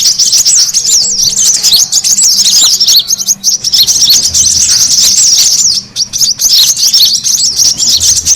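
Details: Rowdy brown-throated sunbird chorus used to lure birds and calm stressed ones: high, squeaky chirps and twittering runs densely overlapping, with short quieter moments.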